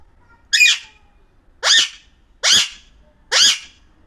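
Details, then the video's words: An Alexandrine (pahadi) parakeet gives four harsh, raspy squawks, each under half a second, about one a second, in a quiet setting. "pahadi parrot talking"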